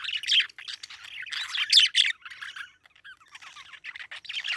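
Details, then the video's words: Chattering parakeet giving rapid scratchy chirps and short squawks, a loud burst near the start and another in the middle, then quieter broken twittering with brief gaps. "Parakeet Chirping Sound"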